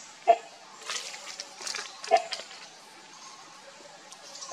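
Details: A great hornbill gives three sharp, gruff barking notes roughly two seconds apart, mixed with scattered rustling, clattering noises and a high insect hum.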